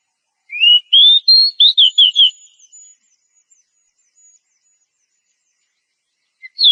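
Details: Oriental magpie-robin, a female in breeding condition, calls the male with a rising whistled run: a low slurred note climbing into a string of about seven quick whistled notes, then silence and one final note.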